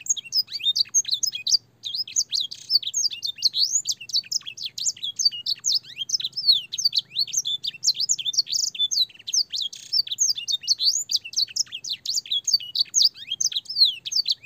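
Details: Canary master song for training young canaries, filled with blackthroat and sanger phrases: a dense, continuous run of sharp, high whistled notes and sweeping chirps, rising and falling rapidly with barely a pause.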